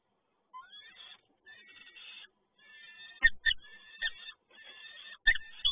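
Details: At PGE Toruń in Poland, 7 May 2022, a male peregrine falcon brings yet another prey delivery; harsh, drawn-out wailing calls come in short bursts, broken by sharp knocks and thumps.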